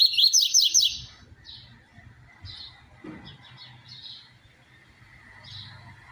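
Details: Song of a double-collared seedeater in the "tui tui zero zero" style, used to train other birds: opens with a loud, fast series of high slurred trilled notes for about a second, followed by faint, scattered high chips over low background hum.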